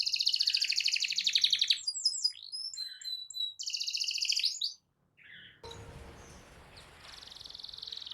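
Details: Canary rolling song meant to make other canaries sing, with a fast buzzy trill and varied whistled notes, a short silence, then a fainter trill over broad background noise.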